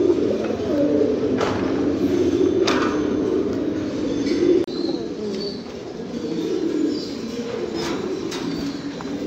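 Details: Domestic fancy pigeons giving overlapping low coos, loud at first and then softer, with a few clicks and a faint high chirp in the background.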